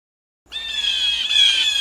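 Blue Jay giving a harsh, nasal scream held for over a second, loud and raspy with little change in pitch.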